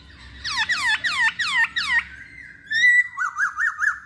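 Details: Masked laughingthrush, caged, giving a lure song: five loud downslurred whistles in steady rhythm, a long level whistle, then a fast run of short rising whistled notes.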